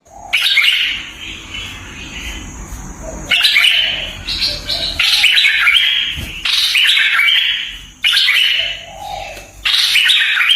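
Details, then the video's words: Red-eyed bulbul gives loud, harsh, bubbling phrases in bursts every one to two seconds, strongly rasping and chattery, with a steady high hiss in the background. "SUARA BURUNG MERBAH LEKIR"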